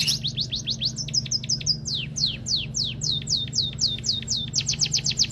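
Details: Song of a white-headed munia: rapid high descending chirp notes, some hooked at the end, in a fast irregular series that speeds up at the close, with a low background hum.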